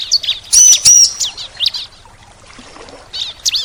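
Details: Ciblek, the bar-winged prinia, gives loud high sharp chirps and a clear whistled note in bursts, a pause with quiet rustling, then more bright chirps near the end.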